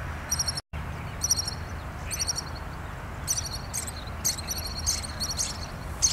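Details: Resident Pied kingfisher on Kinmen delivering repeated bursts of shrill, high, rattling chirps, roughly one burst per second and quickening toward the end, against a constant low hum.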